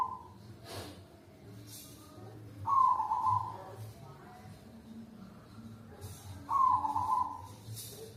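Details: Lure sound for zebra doves: two trilled, descending coos about four seconds apart, with soft low droning and faint rustling noise underneath.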